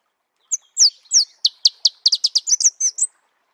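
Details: Marico sunbird song in natural habitat: a few downslurred high notes open a clipped, accelerating sequence of bright chips that ends in a rapid, tinkling jumble.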